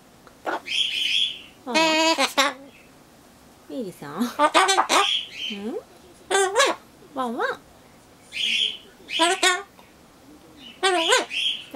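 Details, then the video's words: Solomon Islands cockatoo kept as a pet, copying a neighbourhood dog: repeated rough, nasal bark-like double calls, some upslurred, interleaved with human speech. "ソロモンオウムたろちゃん 犬になる"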